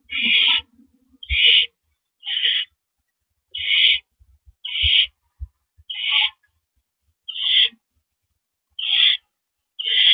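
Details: Barn owl nest on April 9, 2012, 8:45 PM, with the male delivering a rodent. A long series of about ten short rasping hisses at irregular gaps, plus soft bumps and a low squeal at the start.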